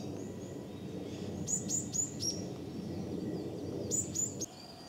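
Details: A Varied tit carrying a beakful of nesting material keeps giving sharp, high alarm notes in quick bursts of three or four, possibly near a nest in a stone lantern, over a steady low background rumble.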